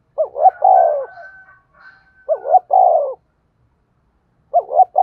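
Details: Decoy spotted dove used to lure wild doves for trapping, giving its calling coo: three phrases, each two short rising notes and then a long, falling, throaty coo, repeated roughly every two seconds in a quiet setting.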